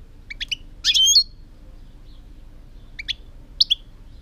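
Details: European goldfinch song from 2018: scattered short high chirps and notes, then a bright burst of twittering around one second, with further brief tinkling notes later; steady low background hum.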